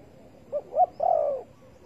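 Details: Spotted dove at a bird trap with bare bait, 15 August 2020: one faint three-part coo, two short notes then a longer falling one, over a quiet background.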